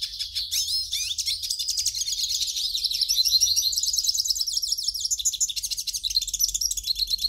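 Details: Captive-bird warm-up song of the hooded siskin: a loud, unbroken, high-pitched twittering warble with rapid buzzy trills, sliding whistled notes and dense chattering phrases running the whole time.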